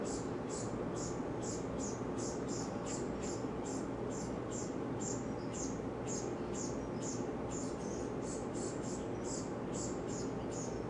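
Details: Frantic begging from a brown-headed cowbird fledgling sitting on a yard bird feeder while a chickadee feeds it. Brief, very high chip notes follow in an even, unbroken series, about two per second, over a loud, steady background hiss.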